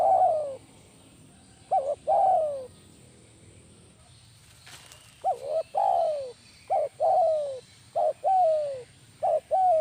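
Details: Spotted dove kept for luring, calling persistently in the 'kuk 1' style. Short hooked notes alternate with longer drooping coos in a rapid series of about five phrases. There is a brief thump near the middle.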